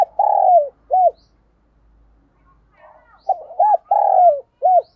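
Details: Morning coo of a spotted dove decoy drawing in wild doves: a long falling coo and a short one, a quiet gap with soft background chirps, then a complete phrase of stutter, coos, long slide and final coo.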